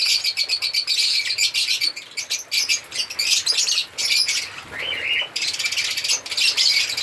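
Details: Several African lovebirds chirping and singing in sharp, high, rapid bursts of squeaky chatter, with a brief lower rising squawk near the middle and short pauses between volleys.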